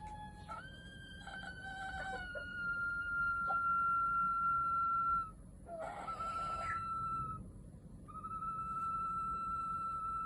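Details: A pet bantam rooster gives a run of varied calls: short clucks, then long drawn-out crows held on a steady pitch, with a quieter cackle between them.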